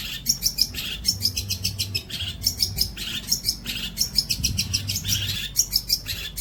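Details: Long-tailed shrike song recorded as training material for other songbirds, with dense high, scratchy chirping phrases and bright squeaky notes tumbling over each other continuously, above a faint low hum.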